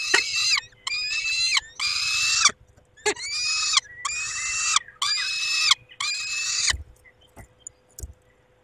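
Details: At its nest in the evening of 23 May 2021, a male peregrine falcon tends the females. Loud, harsh, grating wails come in bursts of under a second, about one per second, then stop, leaving faint clicks.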